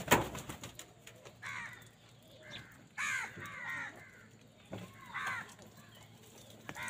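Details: Crows calling in anger while wild birds fight them over food; harsh, raspy harmonic caws come in three or four loud bursts spaced one to two seconds apart, after a sharp knock at the start, over a faint background hiss.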